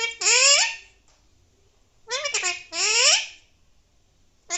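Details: A pet Alexandrine parakeet, indoors, voicing loud rising, drawn-out squawked syllables in short phrases, separated by pauses, with some mimicked speech-like tones.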